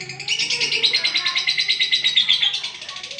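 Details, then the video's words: Buzzy, rapidly pulsing chatter from an olive lovebird during its long-duration song, bright squeaky notes woven through, with a soft low hum in the background. "love bird olive durasi panjang"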